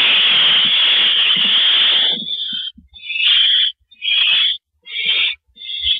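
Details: Barn owl nest on April 9, 2012, at 8:45 PM, as the male delivers a mouse, vole or gopher. A long, unbroken breathy hiss for two seconds, then a series of shorter choppy hissing bursts.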